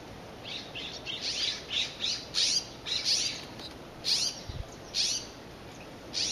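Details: Nuttall's woodpecker drinking at a nursery birdbath gives harsh, scratchy high notes in short bursts, roughly one or two each second, with a single soft thump partway through.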